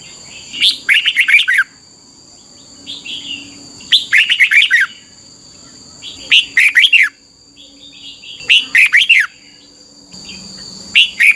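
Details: Song of a red-whiskered bulbul, used for training young birds in Thailand: short lively phrases of clear, looping whistled notes repeated roughly every two seconds, with a softer phrase in between and a faint steady high hum.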